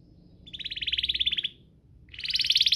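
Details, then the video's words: Canary song meant to stimulate other canaries to sing: two high, rapid, buzzy trills of fast repeated notes, the first about one second long, the second starting after a short pause. "Pancingan kenari biar gacor"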